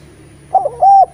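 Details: Eurasian collared dove song meant to spur reluctant spotted doves to sing: a quick wavering pair of short coos running into one long level coo that ends abruptly.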